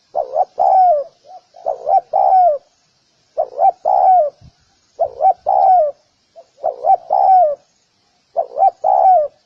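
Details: Steady series of about six spotted dove coo phrases, each a pair of short upturned notes and a longer descending coo, with a faint single note sometimes between phrases; background silent.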